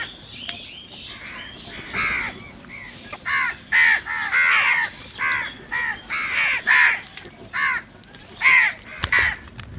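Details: Crows calling during morning feeding, described as barking; a long run of harsh, hoarse caws, repeated rapidly in clusters, some overlapping, with a faint background hiss.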